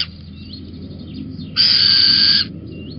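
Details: Little owl on a beam at Holten, 19 May 2020, late morning at 11:37: a single raspy, hissing screech lasting almost a second, with faint thin calls around it.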